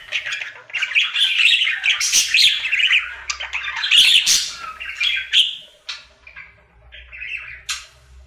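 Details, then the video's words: Happy budgerigar's daily singing routine indoors: busy warbling chatter of squeaky notes and clicks for about six seconds, then a quieter stretch with a few isolated chirps and a short trill, faint low hum behind. "Budgie singing for 1 Hour Happy song!"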